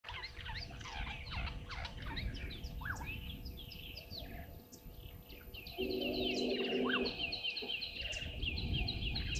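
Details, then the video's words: Red-billed buffalo weavers at Gowrie dam waterhole, Djuma Game Reserve, Sabi Sand Wildtuin, South Africa, picked up by a live waterhole camera at 10:00. Many high chirps and short buzzy notes overlap, with a lower tonal call midway and steady background rumble. "Red-billed Buffalo Weavers"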